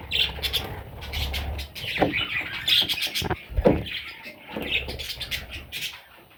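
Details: Sweet little parrot chicks calling in frequent high, scratchy chirps and squawks throughout, over low rumbling handling noise and occasional knocks.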